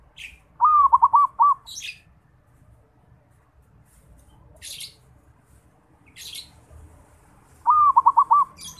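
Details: Local Bali zebra dove, a bird learning to sing, gives two short bursts of bubbling, stepped coos, each about five quick rolling notes, separated by several seconds of near silence with faint clicks.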